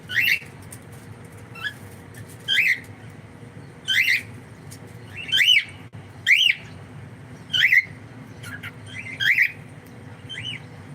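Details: Pet cockatiel giving loud, harsh rising squawk calls with bright harmonics, one every one to two seconds, about eight calls, over a low steady background hum.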